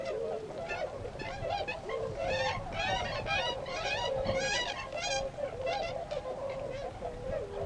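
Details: Tundra swans in winter at Azumino, Nagano, Japan, on 22 February 2013, going out from the Otakara-da flood pond to feed in rice fields. Loud, excited honking from many birds, about two calls a second, with harsh, buzzy overtones.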